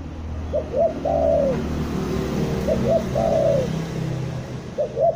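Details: Spotted dove trapping lure call from Bandung. Two short hooting notes, then a long descending coo, recur about every two seconds over a noticeable rumbling and hissing background.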